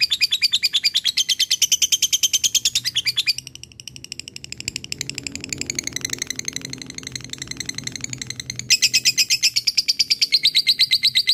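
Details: Sustained ngekek from a fighter lovebird summoning a rival: long runs of rapid, high, buzzy pulses, a short softer stretch in the middle, then loud again.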